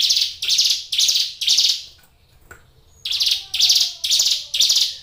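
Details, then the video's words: Kept hill prinia in full song: rapid harsh buzzing notes roughly twice per second, a brief quiet gap with soft thin sounds, then the same grating series again. "suara ciblek gunung gacor"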